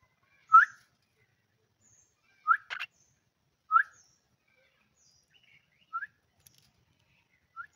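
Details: Pet common myna calling as its owner coaxes it to speak. Sharp, upward-sweeping chirps come in an irregular series, then a rapid double note, then fainter chirps spaced several seconds apart. Otherwise quiet.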